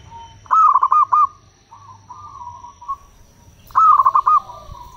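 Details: Zebra dove of local stock singing to lure wild doves: two loud phrases of fast rolling coo notes, about five beats each, separated by a softer, drawn-out answering phrase.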